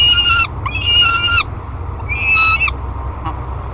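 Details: Thirty-day-old peregrine falcon chick on a nest-box camera at Great Spirit Bluff, 1 July 2021: three loud, sustained harmonic wails with slurred ends, separated by brief pauses, then quiet hum.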